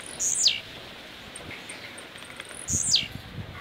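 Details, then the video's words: Caged blue-black grassquit from Jacarepaguá, Rio de Janeiro, Brazil, performing rojão: two piercing, buzzy notes falling quickly in pitch, spaced over two seconds apart, with soft low taps. "Tiziu LANÇA ROJÃO"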